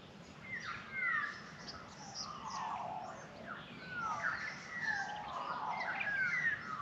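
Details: Australian magpies singing to welcome the day in morning sunshine in the Australian bush; rich warbling, fluting phrases with gliding whistled notes rising and falling, several voices overlapping, with quieter higher chirps behind.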